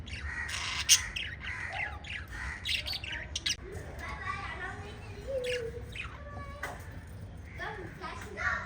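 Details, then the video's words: Pet lovebirds chirping and squawking in quick bursts, mixed with a few short whistled notes that slide up and down, against a low background hum. "Cute LOVE BIRDS CHIRPING sounds - Pet Love Birds talking"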